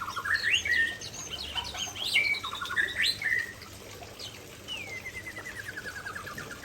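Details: White-rumped shama of the Aceh type singing vigorously near a waterfall: loud whistled phrases with sharp upward sweeps, then a long descending whistled trill fading toward the end.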